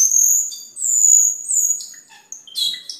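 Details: Cucak keling in gacor song for training caged birds: long, clear, very high whistles that waver slightly, followed by a few short chirps and a quick trilled flourish.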